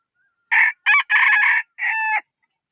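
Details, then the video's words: A chicken's crow in one complete sequence: two short raspy bursts, then a long buzzy syllable, closing with a smoother sustained tone that falls off sharply; quiet background otherwise. "Suab qaib qua zoo heev"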